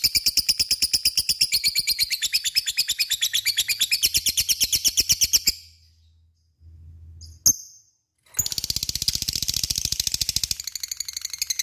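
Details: Lovebird in ngekek style, used to provoke other lovebirds into answering: long rapid runs of high harsh chattering notes, a pause with a brief squeak, then another long chattering burst.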